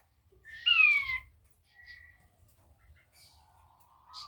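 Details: Blue-breasted quail calling actively: one loud, clear whistled note sliding downward, followed by a few faint soft whistles in quiet surroundings.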